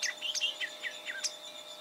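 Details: Greyish saltator recorded in Esperanza, Santa Fe, Argentina in 2023; somewhat distant series of short descending chirps and whistled notes, evenly spaced, with a constant low hum behind.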